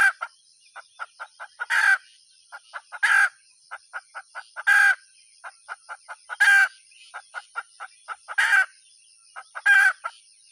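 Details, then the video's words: Hen calling: a run of short, evenly spaced clucks broken every one to two seconds by a louder harsh squawk, about six squawks in all, with a steady high electrical whine throughout. "suab poj qaib tsauj dib tuaj zoo heev"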